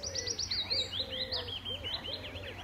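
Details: Singing male willow warbler perched at the top of trees near Standalone Farm pond, Letchworth, June 2014, defending his patch; a clear falling series of liquid whistles, with lower looping notes from another bird and a faint hum.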